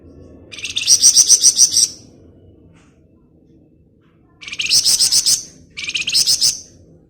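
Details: Flamboyan bird giving rapid ngebren chatter, used as a lure: a long pulsed buzzy rattle, a pause of over two seconds, then two shorter rattles in quick succession.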